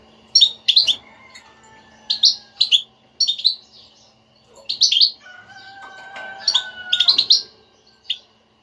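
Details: European goldfinch betbeta, a stimulating chatter for a silent kept goldfinch: bright high chirps in groups of two to four, recurring through the stretch, with a steady faint whistle-like tone in the middle.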